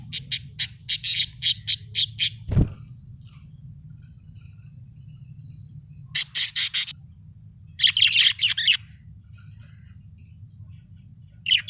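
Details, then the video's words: Budgerigar giving bursts of harsh, scratchy chirps in rapid series, with a single dull thump early on, quiet gaps between bursts and a steady low hum underneath. "budgie chirping sound"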